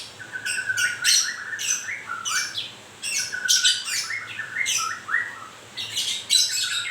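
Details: Murai, a white-rumped shama newly losing its feathers, sings busy phrases: short mid-pitched whistled notes repeatedly cut by sharp raspy high bursts, a quick stuttering rhythm throughout.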